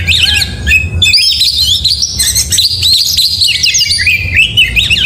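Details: Continuous morning song of an oriental magpie-robin, 'gacor mewah': a long flowing run of high warbled whistles and fast chips after a short opening phrase.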